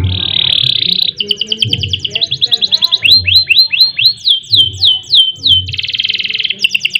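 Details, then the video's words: Canary singing persistently in the Indonesian ngerek, ngerol and nembak style, used as a tutor and prompt for other birds: long buzzy trill, then rapid high repeated notes and falling sweeps, ending in another buzzy roll. "Kenari Gacor Panjang Ngerek Ngerol Nembak Mantap Buat Masteran dan Pancingan | Bird Singing"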